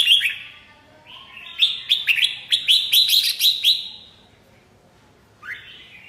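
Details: Red-whiskered bulbul singing: bright whistled phrases rising and falling between roughly mid and high pitch, a quick run of clipped warbled notes in the middle, then a pause and one more rising note.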